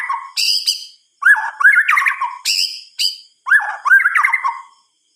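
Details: Night song of a white-rumped shama: a harsh high phrase, then two bursts of looping whistled notes with buzzy overtones, each burst about a second long with short gaps between.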